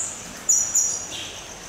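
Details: Red fody at Dvůr Králové Zoo gives two very high, thin, sharp notes about a quarter second apart, then a softer, lower note, against a faint hiss.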